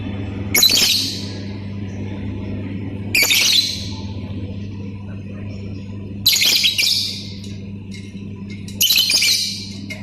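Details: Lovebird singing in the ngetik and ngekek styles: four loud, harsh, high squawking bursts, each about half a second, spaced two to three seconds apart over a constant low hum.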